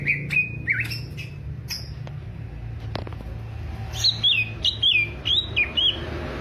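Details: Alas Purwo greater green leafbird from Banyuwangi, noted for a fighting character, gives a few slurred whistles, falls quiet with a sharp click, then delivers a quick series of bright descending whistled notes.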